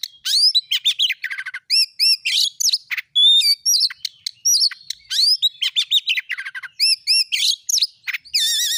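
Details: Lure recording of an Oriental magpie-robin for prompting a caged bird to sing: looping whistled slurs, rapid clicking rattles and sharp chirps alternate in lively bursts, ending on a shimmering buzzy trill.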